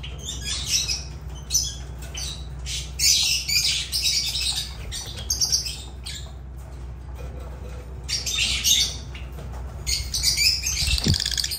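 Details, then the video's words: Lovebirds (Agapornis) giving harsh, shrill squawks and chattering calls in dense overlapping bursts, several birds calling at once with brief pauses, over a steady low hum. "Agapornis love birds sounds"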